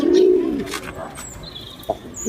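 A pigeon gives a single low, soft coo lasting about half a second, followed by faint, thin high chirps from other birds.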